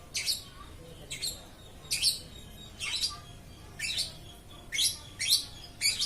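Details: Lovebird singing nonstop: harsh, high chirps and squeaky notes in bursts roughly every half to one second, steady throughout, with quiet low background hum.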